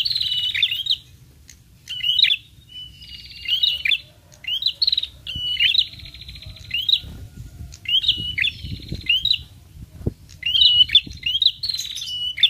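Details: Prinias respond to this lure sound: a long run of high chirp-and-buzz phrases, each short burst repeated roughly every second, with pauses between groups and faint low background rumble.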